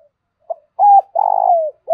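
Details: Decoy spotted dove calling quickly: a short note, a flat coo, then a long vibrating rolling coo that sinks at its end, another note starting as it closes.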